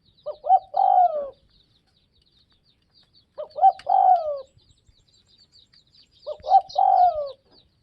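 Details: Three regularly spaced coo phrases, roughly every three seconds, from a spotted dove in northwest Vietnam. Each phrase has short introductory notes and a longer falling coo, over soft high-pitched twittering in the background.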